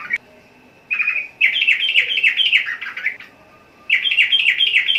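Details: Sooty-headed bulbul giving a burst of lively chirping phrases. Slurred notes rise and drop in quick succession, pause briefly, then resume, with faint room noise between bursts.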